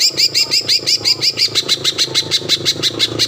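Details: Green leafbird lure song meant to provoke a rival into singing: steady, rapid sequence of sharp whistled notes, about three per second, each with a curved falling tail, over a constant low background hum.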